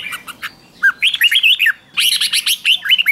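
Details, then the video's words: Short burst of red-whiskered bulbul lure song meant to attract wild birds, with no background noise: a few soft chirps, then two rich, bubbling phrases of tumbling whistled notes. "Chào mào mồi gọi bổi không tạp âm, tiếng chào mào mồi gọi là đến"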